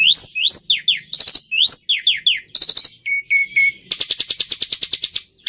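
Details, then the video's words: Black-winged myna singing rising and falling whistled slurs, a short steady whistle, then a fast rattling series of evenly spaced clicky notes. "Suara Burung Jalak Putih Istimewa"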